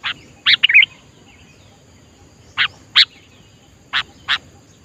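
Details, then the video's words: Sooty-headed bulbul in the wild giving a brief bubbly chirp cluster, then single sharp, clipped notes spaced about a second apart, over a quiet background. "Tips Melatih Kutilang agar Gacor Adalah Dengan Mendengar Langsung Suara Di Alam"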